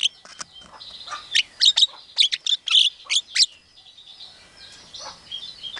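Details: Javan myna mimicking a chicken calling its chicks, an Asian pied starling and a hungry civet; a burst of harsh, clicking chatter with high sharp notes over about three seconds, then quieter scratchy notes.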